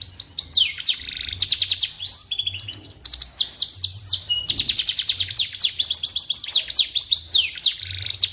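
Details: Canary song for tutoring white-rumped shamas: dense bursts of rapid trills and rising-falling whistles, sharp chips in between, singing nearly nonstop.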